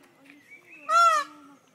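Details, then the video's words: A male Indian peafowl (peacock) gives one loud, nasal, brassy honk, slightly arched in pitch and lasting about a third of a second, over a faint low background hum. "Verso del pavone maschio"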